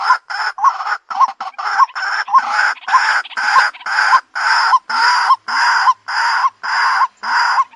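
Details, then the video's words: Loud, rasping calls of a white-breasted waterhen used as a lure, evenly spaced bursts repeated about every half second, each with a little rising inflection, continuing without pause. "SUARA PIKAT BURUNG RUAK-RUAK"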